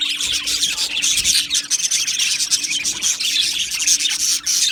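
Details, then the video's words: Australian budgerigars in an aviary colony, singing and chirping together in a dense, continuous high chatter of scratchy warbles and squawks, with a faint steady hum below. "Beautiful Budgies Birds Singing and Chirping Sounds"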